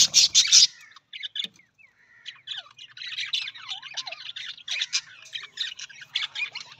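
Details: Budgerigar starting with loud grating squawks, then launching into a busy, unbroken chatter of clicks, squeaks and bent whistled notes that runs to the end.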